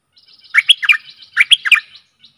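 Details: Two quick gurgled phrases from a stripe-throated bulbul used to decoy aggressive wild birds, each a tight run of four warbling notes.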